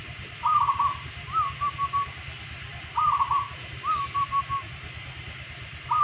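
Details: Local zebra dove, an active daily singer with a golden voice, repeats its song: a rolling, trilled coo followed by a rising note and a short run of clipped coos, about every 2.5 seconds over low background hum.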